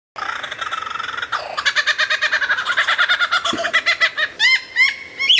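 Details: Lyrebird in vigorous song, recorded very clear and loud for tutoring other songbirds: a buzzy run of rapid notes, then a steady pulsed series of ringing chirps, ending in quick rising-and-falling hooked whistles.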